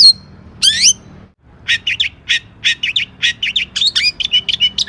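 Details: Long-tailed shrike (cendet) in full lure song, a rich varied repertoire. Opens with a thin whistle and a rapid sweeping phrase, then after a short pause launches into a fast run of chattering, squawky chirps with rising and falling slurred notes.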